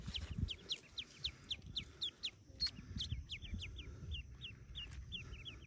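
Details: Yellow ducklings newly hatched in a cave nest, about forty in number: loud, clear, high peeps that drop in pitch, repeated steadily several times a second over soft thuds.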